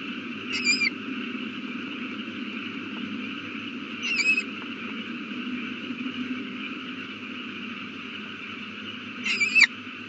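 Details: Owl at its nest beside a newly hatched chick, evening of April 18, 2019: three brief raspy squeals, spaced about four and five seconds apart, over a constant background hum.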